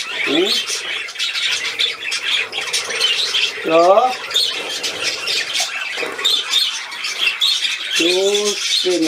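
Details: Budgerigar playing, 13 December 2019, chatters in a high, fizzy warble beneath repeated German speech from a woman who talks to the bird.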